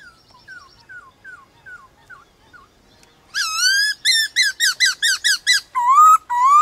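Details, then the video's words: White-cheeked laughingthrush in a morning song contest with wild laughingthrushes: faint repeated falling whistles, then a loud burst of rapid rich whistled notes and rising slurs. "Khướu bạc má HÓT ĐẤU với Khướu ngoài thiên nhiên buổi sáng cực hay"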